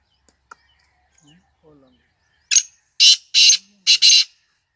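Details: Loud, grating series from a black francolin: an opening rasp, then two broad buzzy notes and a tight final pair, preceded by faint clicks and soft low murmurs.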